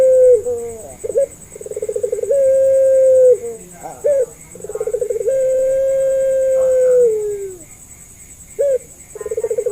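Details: Puter Pelung Barbary dove lure for teaching doves to call: repeated phrases of quick throbbing pulses swelling into long, smooth, level coos that sag in pitch as they fade, separated by brief gaps, over a constant faint high tone.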